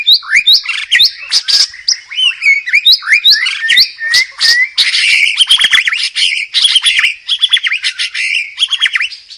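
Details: Energetic, loud White-rumped shama song: rapid sequences of sweeping whistles and sharp chirps, growing into dense, buzzy, mimic-like phrases.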